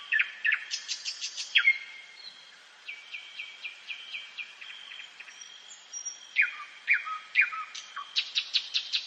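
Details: Night-time forest song of a common nightingale: varied phrases of rapid clicking bursts, long repeated chip notes, pure whistles and falling slurred notes. It pauses briefly, then resumes with quick stuttering repetitions, against a steady high background whine.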